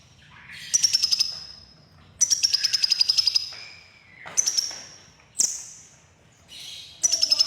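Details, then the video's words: Crimson sunbird (kolibri ninja) with a red breast, chirping: long high rattled trills interspersed with short sharp notes and brief squeaky chips. "Burung KONIN Kolibri Ninja DAMER Dada Merah Gacor || CHIRPING SOUND ||"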